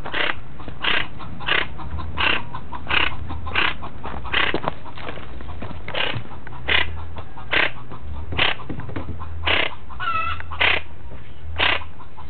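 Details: A chachalaca in Villa González, Tamaulipas, Mexico, lost and searching for its nest, gives harsh, raspy squawks in quick succession, about one to two each second, over a low steady hum.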